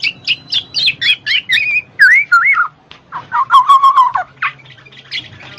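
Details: Black-naped oriole singing, a recording meant to prompt lazy birds to sing: quick high chips, then two clear whistled slurs rising and falling, followed by a rapid trilled run and a few sharp notes.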